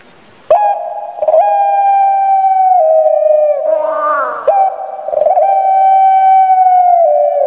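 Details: Captive puter pelung, a large-bodied Barbary dove kept in Indonesia, with a small, shrill voice: long, steady, drawn-out tonal coos, each held for a second or more, with a brief rough warbling break midway.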